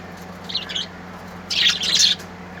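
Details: Beautiful colourful birds singing: a short soft twitter, a pause, then a longer, louder run of harsh, buzzy high chattering, with a low steady hum in the background.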